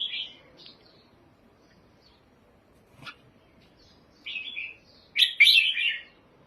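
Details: Red-whiskered bulbul singing: short warbled phrases separated by quiet gaps, a single brief note, then a louder, richer burst of bubbling whistled notes near the end, with a sharp click midway.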